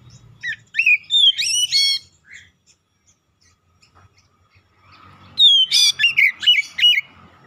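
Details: Oriental magpie-robin calling tones in a full mimic song: a burst of rising whistles and harsh notes, several quiet seconds, then a loud run of buzzy, slurred whistled phrases.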